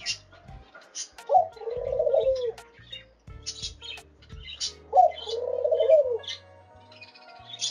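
A dove gives two low, mellow coos about four seconds apart, each a soft rising note that rolls into a throaty purr. Faint high chirps from other birds sound behind.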